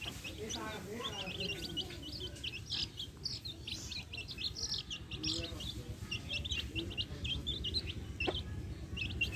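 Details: Backyard chicks with hens make high, short chirps in scattered clusters, some sliding upward, with a few lower hen murmurs early on and steady low background rumble.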